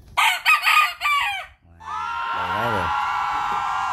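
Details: A young, newly grown rooster from a chick crows harshly in three choppy bursts, then a lower wavering voice and a steady humming tone follow.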